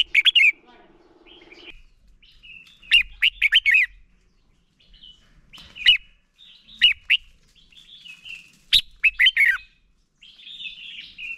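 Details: Red-whiskered bulbul singing to spur other bulbuls into song during voice training; several short phrases of bright, lilting chirped notes in clusters of three to five, spaced by pauses, with a low hum at the start.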